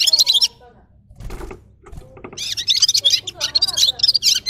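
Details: A gulsir, the red-fronted serin, gives a short burst of high twittering, falls quiet amid soft rustling noise, then returns with a longer run of rapid, buzzy jingling notes.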